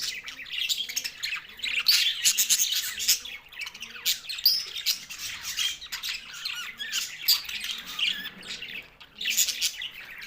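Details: Budgerigars feeding on greens and sounding content; bursts of scratchy squawks and bright twittering chirps, uneven in rhythm, several birds calling at once.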